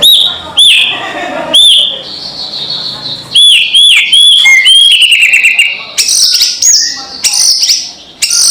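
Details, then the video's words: Loud kretekan call of a white-rumped shama, used to provoke rivals: sharp bright whistled notes with quick rises and falls, clustered in bursts separated by short gaps, ending in high chattering phrases. "SUARA PANCINGAN KRETEKAN MURAI BATU KERAS BIKIN EMOSI SEHARIAN | RUMPED SHAMA"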